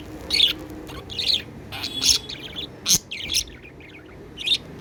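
A budgerigar chirps in quick, bright bursts of high twittering notes.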